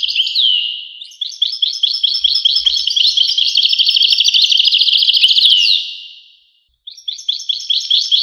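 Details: A European goldfinch twitters in quick, jingling phrases that build into a long, steady rattling trill. The trill fades away into a short silence, then the bright chirping starts again.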